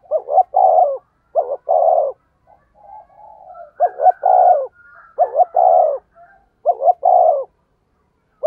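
A spotted dove gives low, mellow coos in quick repeated phrases, a short double note then a longer rolling coo, about every one and a half seconds.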